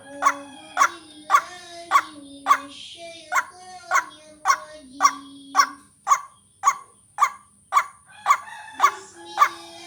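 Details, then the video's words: Repeated call of the white-breasted waterhen, a lure sound for catching birds: around eighteen abrupt croaking notes at an even pace, with a low wavering tone and a high whine underneath. "Ruak Ruak pikat latihan vocal"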